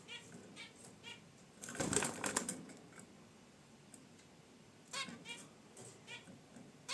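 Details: Caged zebra finches relaxing beside their wicker basket nest give a few short nasal honking chirps, scattered near the start and again toward the end, with a burst of rustling and wing-flutter in between.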